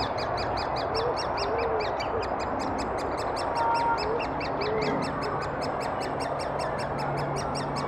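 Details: Rapid high ticking chorus from great spotted woodpecker chicks being fed by adults in Thurrock woods, 20 May 2014, captured on a Finepix HS50EXR camera; evenly repeated sharp pulses continue for the whole stretch, with low rumbling noise beneath.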